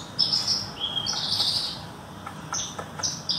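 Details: Caged Horsfield's bush lark singing while sunbathing after a bath: high, thin buzzy notes and short chirps around four to six kilohertz, with brief pauses between phrases and a faint low background hum.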